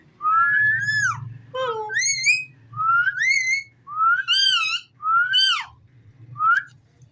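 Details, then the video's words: Pet ringneck parrot whistling a sequence of smooth, wavering and upward-sweeping notes, roughly one per second, each rich in overtones, with one lower note early on. "Talking parrot so cute"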